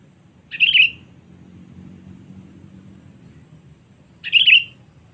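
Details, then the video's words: A sooty-headed bulbul, used as a lure call to draw rival birds: two short, bubbly, warbled phrases nearly four seconds apart, with a faint low hum in between. "Kutilang Cengkram Memanggil Musuh"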